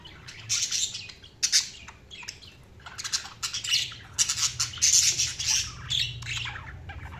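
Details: Budgerigars chirping: continuous high, rapid, scratchy warbling and chatter in dense bursts, over a low steady hum.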